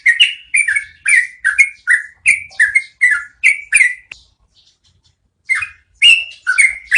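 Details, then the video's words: Yellow-vented bulbul singing a rolling song, recorded as training audio for cage birds: rapid gurgling notes for four seconds, a short silent pause, then the bubbly phrases resume. "MASTERAN SUARA BURUNG TRUCUKAN NGEROLL PANJANG"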